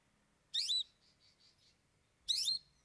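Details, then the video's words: Long-tailed Shrike (cendet) opening up three isian, the learned fill-in phrases of its song: two loud, sharp, downward-sweeping chirps about two seconds apart, each trailed by soft fading echo-like notes over a quiet background. "Cendet Bongkar 3 Isian"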